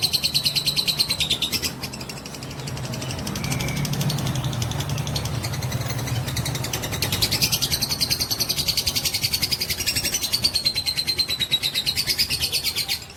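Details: Long drawn-out trill of a fighter lovebird, sung to provoke other fighting lovebirds: a continuous high, rattling, pulsed chatter lasting over thirteen seconds, briefly softening near the middle, over a low droning background.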